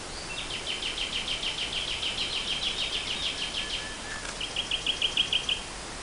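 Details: Nightingale singing in spring 2014: a long run of rapid, evenly pulsed notes delivered about three per second, a brief lower slurred note, then a shorter, quicker trill of bright repeated notes, over faint steady background hiss.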